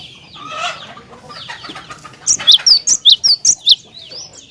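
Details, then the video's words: Bait song of a cinereous tit, used to provoke other tits to sing: after soft chatter, roughly eight loud, piercing high notes follow in a fast, fairly even series. "Jika Glatik Batu Anda Di Pancing Dengan Kicauan Glatik Batu Gacor Ini"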